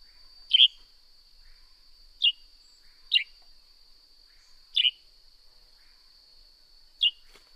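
Northern grey-headed sparrow giving single short, bright chirps at uneven intervals of one to two seconds, over a steady thin high-pitched hum.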